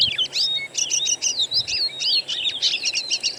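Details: Lure recording of natural birdsong to trigger singing in an Oriental magpie-robin: dense, continuous run of rapid whistled swoops and trills with barely any gaps.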